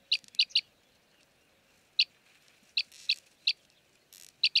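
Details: Arabian green bee-eater (Merops cyanophrys) in Jeddah, Saudi Arabia, gives short, high rolled chirps, singly or in quick runs of two or three, at irregular intervals over a faint low hum.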